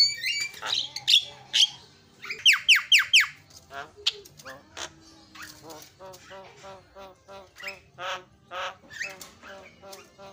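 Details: Javan myna song played as a lure to get other birds singing: harsh squawks and rapid grating notes, followed by long runs of short chattering notes repeated about twice a second.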